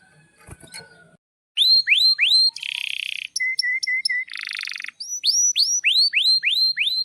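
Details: Singing canary, played to prompt canaries to sing: a string of quick rising whistled sweeps repeated about three per second, broken by harsh buzzy trills and short even chips.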